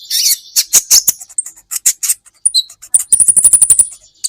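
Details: Olive-backed sunbird (kolibri ninja) in an Indonesian training recording for songbirds: loud sharp high notes and scratchy bursts, then a fast even series of about a dozen thin ticking notes on one steady high pitch.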